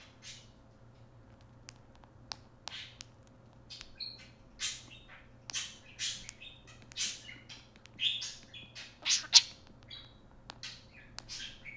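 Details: A talking pet parakeet chatters in rapid, scratchy bursts of high squawks and chirps, some grouped like mimicked words such as "Hey Siri" that trigger an iPhone, over a faint steady indoor hum.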